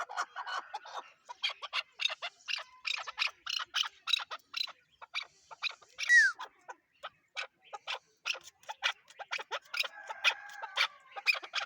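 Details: Chukar partridge uttering rapid, harsh chuck notes in a continuous rhythmic stream, with one brief higher squeal near the middle.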